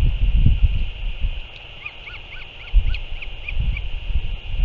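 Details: Northern royal albatross, 6 April 2024, while a returning parent feeds its chick: a quick series of small arched, slightly nasal notes near the middle of the recording, with gusting wind below and constant background hiss.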